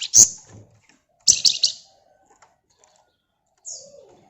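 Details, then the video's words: Gacor flamboyan bird in dense ngebren song: a loud, very high, rasping burst, then a longer chattering buzzy phrase, and after a pause a short high whistled note sliding down, in an otherwise quiet setting. "Burung Flamboyan Gacor Ngebren Rapat Pancingan Ampuh"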